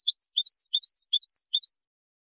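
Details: Moroccan goldfinch in Widani song style, a quick run of sharp, high tinkling notes alternating between two pitches, delivered about eight per second before stopping.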